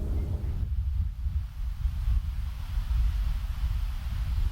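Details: Strong wind buffets the microphone with a deep, continuous low rumble, and no animal voices can be picked out.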